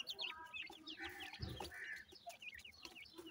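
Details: Several grey francolin chicks cheep continuously: high, wavering, downslurred peeps overlapping each other, with a brief low thump midway and a soft steady background hiss.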